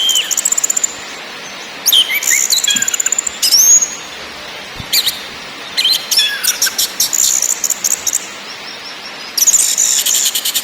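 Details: {'text': 'Orange-headed thrush, ngakrak, ngeplong and nyiul style lure song: long sequence of very high rapid stuttering trills, squeaky slurred whistles and chattering runs, in repeated bursts over constant hiss.'}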